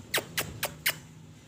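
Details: Pet Indian ringneck parakeet: four harsh, squawky screeches, each sweeping sharply downward in pitch, given in a quick series about a quarter second apart, then quiet room background.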